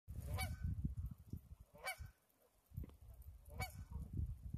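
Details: Geese honking by the Similkameen River on February 20, 2018: three loud, nasal, harmonic honks spaced about 1.6 seconds apart over a steady low rush of flowing water.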